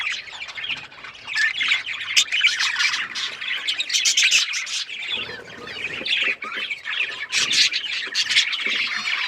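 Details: Pet budgies in steady, busy chatter: overlapping high twitters, squeaky chirps and raspy warbling that rises and falls in loudness across the recording.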